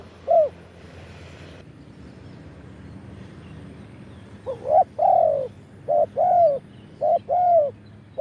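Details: Wild spotted dove in Thailand, recorded live in the 'khan yon' crowing style. One coo opens the clip, then after a quiet gap several two-part phrases follow: short rising notes, each followed by a longer soft coo.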